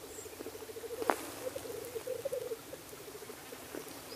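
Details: Black grouse males at their display ground give a soft rapid bubbling that grows into a louder rolling phrase. A single sharp click stands out near the start.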